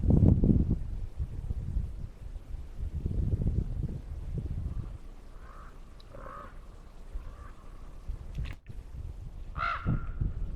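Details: Crow flying over a lake, its call echoing across the water: a few short, hoarse caws in the latter half, spaced about a second apart, over a steady low rumble with a loud thump at the start.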